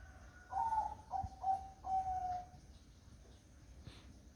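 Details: Soft cooing of a zebra dove on a foggy morning, four gentle notes in quick succession, the last drawn out and slightly falling, then quiet background.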